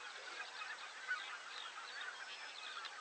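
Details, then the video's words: Common cranes calling together: a steady wash of overlapping rough, honking calls without pause, one brief sharper note standing out near the middle. "Common crane / Żuraw"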